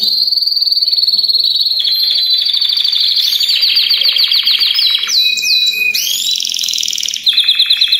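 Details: Chorus of Belgian canaries singing at once to encourage other canaries, notably youngsters or moulted adults, to sing. Overlapping high rolling trills and rapid rattles lead to quick sweeping whistled notes, then a pulsed, repeated trill near the end.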